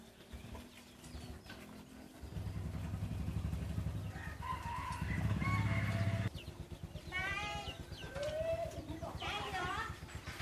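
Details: Owned red junglefowl in Thailand: a steady low engine drone fills the first six seconds with short tonal calls, then wavering, strongly harmonic crow-like calls follow after the engine stops.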